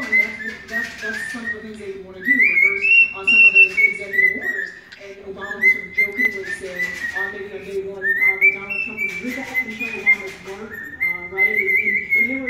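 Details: Pet cockatiel named Kiwi serenading a person's foot, whistling a song of clear, rising and falling phrases with brief pauses between them.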